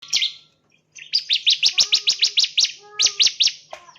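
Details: Bar-winged Prinia (Prinia familiaris) gives a fast run of sharp, high chirps, about seven a second, in two bursts, over a faint low hum.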